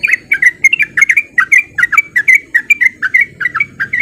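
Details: Rapid 'ropel' song of a male sooty-headed bulbul, used to make other bulbuls sing; even stream of short whistled, slurred notes about three per second, with a quiet low rumble behind.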